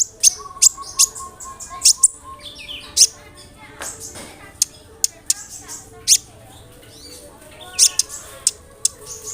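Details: Sunbird (kolibri ninja) song used as a lure to make other sunbirds answer: sharp, very high chirps and short bright notes, spaced irregularly, with a faint steady low hum underneath.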